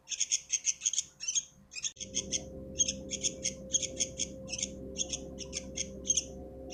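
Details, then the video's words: Rapid, harsh, chattering squawks from a sooty-headed bulbul chick, repeated in quick runs with short breaks; a steady low hum comes in after two seconds. "Aanakan Burung kutilang"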